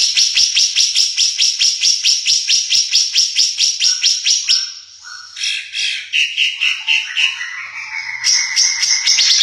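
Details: Red-eyed ara bird, endemic to East Nusa Tenggara and increasingly rare, gives a high, rapid series of sharp chipping notes, about two per second, then a varied, twittering warble that drops in pitch.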